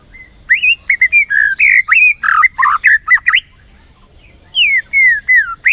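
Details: White-rumped shama song used as a lure to rouse a lazy bird into full, energetic singing: a rapid run of varied whistled and slurred notes, rising and falling, then a pause and a few clear descending whistles.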